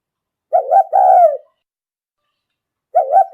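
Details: Spotted dove decoy call used for luring: one low, hoarse coo phrase, a short note and then a longer, falling one, followed by a pause and the start of another phrase. Background is silent.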